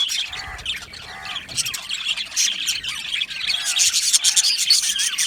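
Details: Aviary colony of cheerful budgies: a few lower, nasal harmonic squawks early and late, under a rising wall of high, rapid chirping from many birds.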